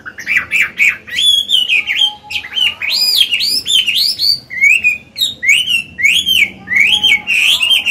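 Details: A caged Chinese hwamei, an old bird with a wild forest voice, sings to stimulate and train other birds. It pours out continuous looping whistled phrases, each swooping up and down, delivered loudly and rapidly for eight seconds. A faint low hum sits underneath.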